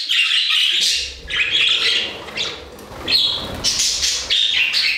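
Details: Budgerigars warbling together in an aviary, continuous mix of scratchy chatter and whistled squeaks, overlapping birds, with faint low rumbling underneath.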